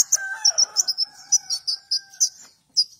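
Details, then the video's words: Lively young golden-bellied gerygone song of high, thin, clipped chirps in quick succession, briefly overlaid by a lower steady whistling tone that fades before the last few notes. "Konin Trotol Gacor"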